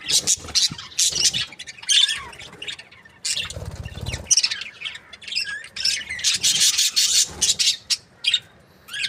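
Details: Breeding pairs of budgerigars, an Australian parrot, chattering in dense bursts of high, scratchy chirps and squawks that rise and fall rapidly, with short pauses between flurries.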